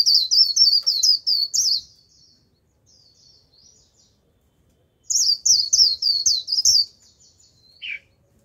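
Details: Lure white-eye in energetic 'líu' song: two loud bursts of quick, high, sweet twittering notes separated by soft faint chatter, ending with a single lower slurred note, in quiet surroundings.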